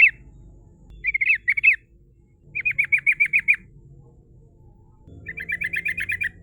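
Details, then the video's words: Female sooty-headed bulbul singing ngerol style as a lure for rivals: a harsh chattering phrase, then two runs of rapid, evenly repeated bright notes, the last over a low hum. "Suara trucukan betina gacor ngerol ‼️ Disukai lawan ampuh untuk pancingan"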